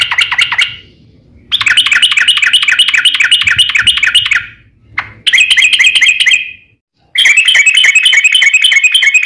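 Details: Yellow-vented bulbul in its fighting, long rolling song style used to provoke other bulbuls into answering: loud, fast chattering runs of sharp repeated notes, about three per second, in bursts of up to three seconds with short silent breaks.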